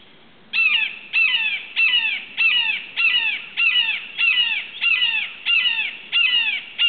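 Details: Wild red-shouldered hawk perched near Suwannee River State Park, Florida, on the morning of July 31, 2011, hunting for breakfast and preening. It gives a steady run of loud, harsh, down-slurred cries, about ten in six seconds, nearly evenly spaced.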